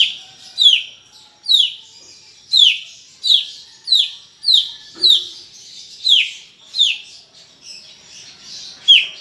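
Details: Energetic 'gacor' song of a greater green leafbird: a steady run of about a dozen sharp, downward-sweeping whistles, evenly spaced less than a second apart, with one brief low knock midway.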